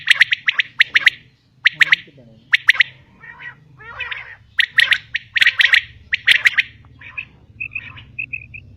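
A female common quail gives harsh, raspy notes in quick groups of two or three, with a few thin whistled notes at the end over a low hum.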